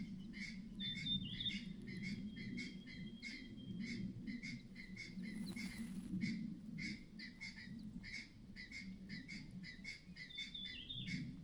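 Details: Mother myna's clattering alarm call signalling nearby danger, long run of scratchy rasping notes about twice a second, high whistles at start and end, a brief rustling burst midway, low hum beneath.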